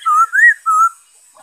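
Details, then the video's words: Brief black-throated laughingthrush phrase from 5 May 2021: three smooth, sustained whistles, the middle one rising highest, given in quick succession. "Saib noog sab hwj zoo nkauj,bay khuou,นกกะรางคอดำ"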